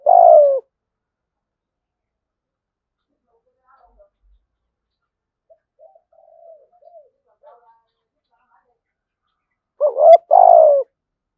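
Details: Spotted dove, thổ sấm voice, cooing. One rich, low two-part phrase comes at the start, then a long near-silent stretch with faint murmurs, then two more coos about ten seconds later.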